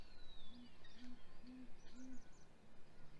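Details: Male and female great grey owls calling at their nest as prey is delivered, hatch week, April 2020 morning: four low, slightly longer hoots about half a second apart, with high thin bird whistles in the background.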